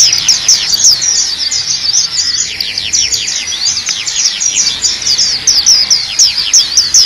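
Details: Training song of the black-capped white-eye: long unbroken stream of high, quick downslurred whistles and twitters, lively and rapid, with no pauses.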